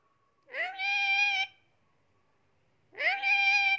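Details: Two drawn-out, harsh, nasal squawks from a pet Indian ringneck parakeet, each roughly a second long with a brief rising start, separated by a silent gap, in a quiet indoor space.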